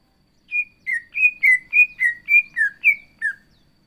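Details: Greater green leafbird (cucak ijo) delivering a steady run of ten slurred whistles, alternating higher and lower notes about four per second, clear and loud against a quiet background.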